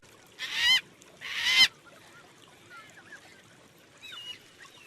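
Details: Two loud, harsh, wailing calls from a yellow-tailed black cockatoo of south-eastern Australia, a bird that flocks in small groups, followed by faint distant whistles against quiet background.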